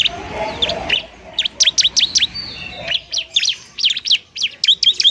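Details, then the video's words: Bar-winged prinia fighting song for luring lazy birds: a soft muffled opening, then crisp, high, sweeping chirps in fast repeated groups. "ciblek TARUNG mantap buat pikat dan PANCINGAN ciblek semi malas bunyi"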